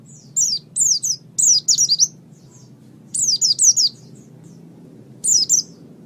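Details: White-eye training recording: short phrases of three to four high, sharp downslurred chirps, separated by pauses of about a second, over a faint low hum.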